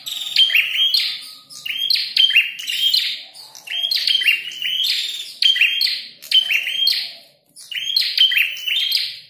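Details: Strident, insistent song of a red-headed prinia during a fight: grouped bursts of scratchy chirps and piercing whistled notes, coming in waves about every two seconds, with short pauses between.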